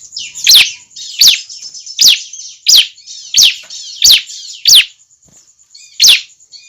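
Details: Young bar-winged prinia giving a lure call meant to attract other prinias: a fairly regular run of eight sharp, high chirps, each sliding steeply downward, under a faint constant high-pitched tone.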